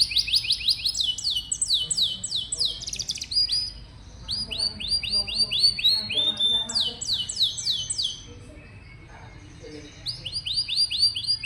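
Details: Canary singing as a model for young, quiet canaries and other birds: bursts of rapid descending whistled notes and rolling trills separated by quieter gaps with faint low murmuring.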